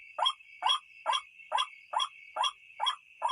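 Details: Used at night to attract white-breasted waterhens, this call repeats a rough, rising croak about every half second, eight notes in a row, above a continuous high-pitched buzz.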